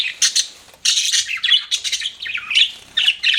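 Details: Budgerigars kept as pets chirping in short bursts, scratchy warbles separated by a quiet pause, with a few clearer whistled notes among the raspy chatter.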